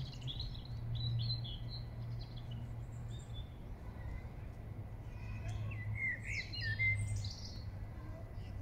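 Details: Song thrush singing in Regent's Park, London; varied quick whistled phrases and high trills, some notes repeated in bursts, over constant low traffic hum.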